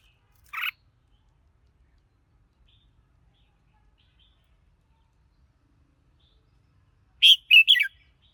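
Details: Red-whiskered bulbul song: a lone sharp note, then a long pause and a rapid burst of three chirpy whistled notes near the end, with otherwise quiet surroundings.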